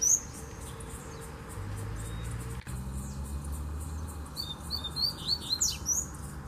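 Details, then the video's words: After several seconds of quiet with a low hum, a wild Double-collared seedeater far off in a bamboo thicket breaks into a burst of quick, high whistled notes and sharp downslurs. "Coleiro Mateiro Cantando no Bambuzal de Longe!!!"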